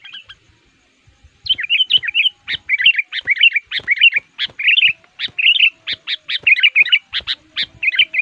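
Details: Fired-up sooty-headed bulbul used to lure wild forest males, singing actively against rivals; continuous lively chatter of bubbly, warbling phrases with sharp chips mixed in throughout.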